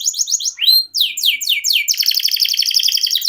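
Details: Canary rolling a long unbroken song: a few short trilled notes, an upslurred whistle, repeated downward-swept notes, then a long even, rapid metallic trill.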